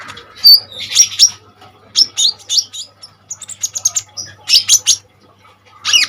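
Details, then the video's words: ['Kolibri ninja sunbird song used to tutor other birds: sharp high whistles and scratchy chirp clusters in irregular bursts, with short pauses and a faint low hum.'] "KONIN GACOR FULL TEMBAKAN SADIS || COCOK UNTUK PANCINGAN & MASTERAN BURUNG KOLIBRI NINJA BAHAN"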